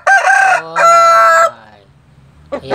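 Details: A large Bangkok rooster crowing, with continual crowing said to foretell rain: two loud harmonic-rich bursts in under 1.5 seconds, a fading tail, then a short clucking note near the end.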